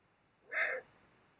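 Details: Rasping, hoarse call of about a third of a second from a Eurasian eagle-owl during mating near the Mosel, Germany, in late January 2022, harsh and noisy rather than tonal, against a quiet background.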